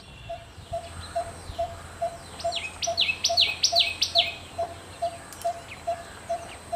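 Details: Malabar barbet in Karnataka's Western Ghats, where one calling sets others off, gives a steady series of low, hollow 'tuk' notes, two or three a second; another bird's high chirps burst in midway over a faint hum.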